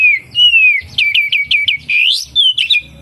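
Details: Oriental magpie-robin song full of kapas tembak mimicry: a long, clear, descending whistle, then a run of five quick looping notes and a rising slurred whistle, loud and close.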